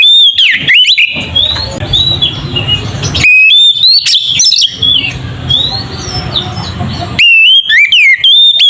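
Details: Oriental magpie-robin in ngeplong singing style, used as a lure to provoke magpie-robins. Loud, clear whistled phrases that swoop up and down open and close the passage, with a quieter stretch of varied chirps and whistles over hiss between them.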